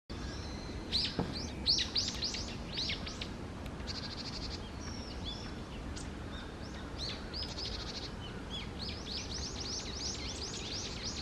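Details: Japanese tit at Okurayama Park giving quick runs of short, high, upswept notes in bursts, with a steady broadband background hiss throughout.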